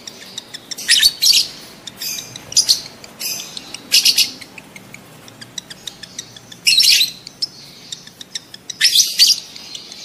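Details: Lovebirds in breeding mood, calls meant to stir mating: piercing, scratchy high chirps in doubled bursts at irregular gaps, separated by light ticking sounds.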